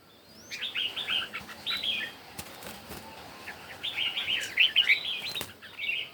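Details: Red-whiskered bulbul competition singing in the morning, two bursts of quick warbled phrases separated by a pause filled with wing flaps and sharp taps.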